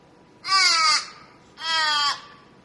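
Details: Crow cawing: two drawn-out, harsh, nasal caws, each about half a second long, separated by a one-second pause, with a quiet background.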